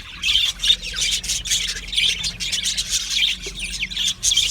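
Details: Australian budgerigars chirping: rapid, grating chatter of short squeaky notes and harsh squawks in bursts, with a faint steady low hum in the background.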